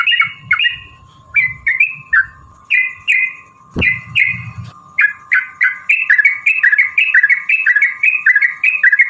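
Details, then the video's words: Yellow-vented bulbul fighting song used as a lure to provoke rivals: short bubbly whistled phrases repeated about twice a second, speeding into a steady run near the end, over a constant electronic tone and a low rumble. "trucukan gacor TARUNG ROPEL PANJANG pancingan trucukan agar bunyi"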